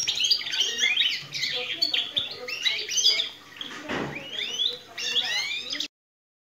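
A canary sings a fast, bright run of twittering trills and sweeping chirps copied from the goldfinch, with a brief low noise midway.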